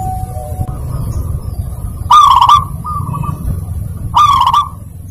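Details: Zebra dove song played to coax a reluctant bird into singing: two loud, buzzy, rapidly broken phrases about two seconds apart, each followed by a fainter level tone, over a low steady hum.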